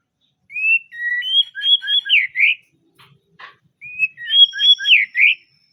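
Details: White-rumped shama delivering melodious song: two rich phrases of rapid alternating high and low whistled notes, bouncing and slurred, separated by a brief pause with a soft click.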